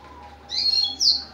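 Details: A 10-day-old red siskin chick gives two thin, high, hissy begging bursts in quick succession, each under half a second, over faint background hum.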